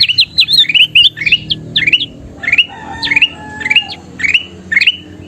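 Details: Kutilang emas (bulbul) in energetic song for training birds: clusters of two or three looping, rising whistles at first, then single bright upslurred phrases about every half second.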